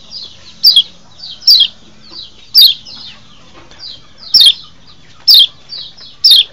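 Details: White-eye mating call from Lombok, used to lure wild birds in breeding condition: high, harsh downward-sweeping chirps at uneven intervals near one second, with softer twitters filling the gaps.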